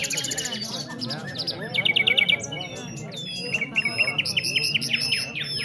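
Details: Nightingales at a singing competition in Afghanistan. Several birds sing at once, with fast high chirp trains, sharp rising whistles and rattling trills. People talk quietly underneath.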